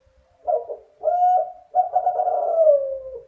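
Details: Spotted dove, a male Kelantan-type songster noted for a very clear and long voice, giving a burbling note, a level coo, then a prolonged rolling coo that gradually falls in pitch. Nothing else audible.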